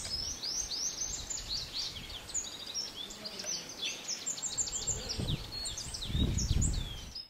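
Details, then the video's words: In Akagera National Park, Rwanda, in March 2013, a yellow-browed citril gives a fast, continuous stream of high, thin twittering notes over low rumbling wind. "Serin à diadème (Crithagra frontalis) Yellow-browed Citril"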